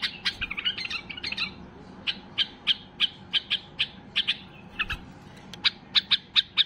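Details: Highly excited white-eared bulbul, known locally as Basra bulbul, singing to draw song from other bulbuls: a quick jumble of chirps, then evenly spaced sharp notes about every quarter second, ending in a fast, loud run.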